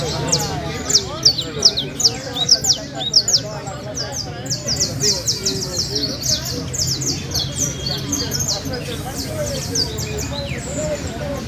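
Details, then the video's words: Canary competing in a trill contest at La Ceiba, Valledupar, pouring out long runs of very high rapid trilled notes in several phrases, while people talk loudly nearby. "concurso de trino de canario"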